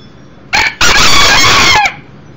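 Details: Indoor crow from a one-year-old Millefleur d'Uccle cock, the smaller beta rooster of the flock: a clipped first syllable, a short gap, then a drawn-out raspy crow held for about a second.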